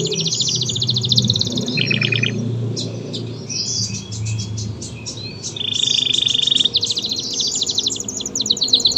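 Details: Lively canary of local, AF or AFS type singing a varied medley of high trills, short rattles and a lower buzzy burst, over a steady low background rumble.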